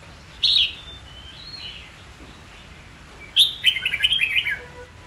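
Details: Red-whiskered bulbul fighting song, played to train young white-cheeked birds to learn song quickly and to stir them to sing: a bright warbled note, a pause, then a fast run of rolling, slurred whistles.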